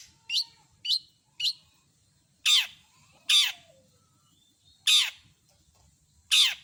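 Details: Long-tailed shrike singing with full mimicry: three short sharp high chips, then four loud harsh rasping screeches spaced about one to two seconds apart, over a faint low hum.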